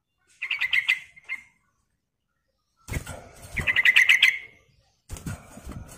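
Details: Calling of a female sooty-headed bulbul to the male: three bursts of quick, stuttering chirps at a steady pitch, each trailing off briefly, with soft thumping noise beneath.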